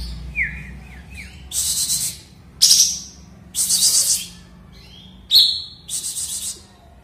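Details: Sooty-headed bulbul back in full voice after moulting: opens with short descending whistled notes, then loud rasping bursts alternate with sharp high whistles roughly every second.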